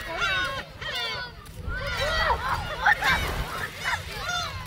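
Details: Gulls fed shrimp snacks on Seonjaedo island, South Korea: bursts of curved, harmonic squealing cries from several birds, some louder near the middle, over low rumbling background noise.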